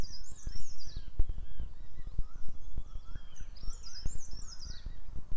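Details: Black drongo (Dicrurus macrocercus) at sunrise in a protected rhododendron forest, giving two bursts of high, sharp, downward-slurred whistled notes with fainter lower notes between, over heavy wind noise.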